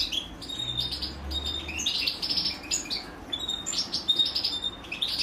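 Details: European goldfinch chicks being fed by their mother, giving dense, high, thin chirps and short buzzy notes in overlapping bursts, with a faint low hum beneath.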